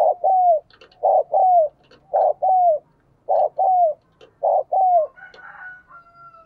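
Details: Spotted dove coo used to rouse a newly caught decoy dove into cooing quickly: low, hollow paired notes, a short note then a longer falling one, repeated about once a second, with a faint whistling noise at the end.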